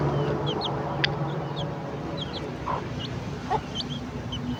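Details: Breakfast time as a hen clucks her chicks over: brief soft clucks in the second half, while high, quick chick peeps come in pairs and singles across the clip against a constant low rumble.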